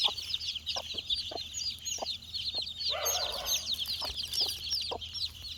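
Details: Flock of four-day-old chicks hunting insects: steady high peeping from many birds at once, thin downward-curving notes packed closely together, with a broader, lower harmonic call around the middle and regular sharp tapping clicks.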